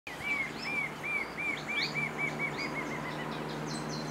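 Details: Male Marvellous Spatuletail displaying at a lek near Huembo, Peru, whirling its tail toward a passing female. A run of about a dozen short arched chirps, four per second, slowly fading, with thin higher twitters and a low steady hum behind.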